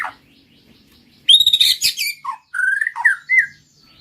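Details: A white-rumped shama sings after a quiet start. It opens with a loud, buzzy ringing burst, followed by a low note and several clear rising and falling whistles.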